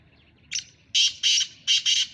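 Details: Black francolin (kala Sindhi teetar) from Sahiwal, Pakistan, calling in the morning, dated 18 September 2022: one short harsh note, then four loud, grating, high notes in two close pairs, over a faint low hum.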